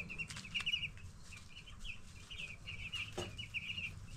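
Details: Many 10-day-old broiler chicks chirping together, a steady stream of short, high piping notes that overlap into a busy chatter, with a low background rumble.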